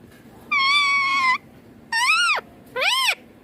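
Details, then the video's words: Green Indian ringneck parakeet, described as a chatty bird talking a lot in Hindi, gives three harmonic, voice-like notes: a long level one of almost a second, then two shorter arched notes that bend downward at their ends. "Ringneck Green Parrot Talking Hindi More || Baatuni mithu bahut baat kar raha hain"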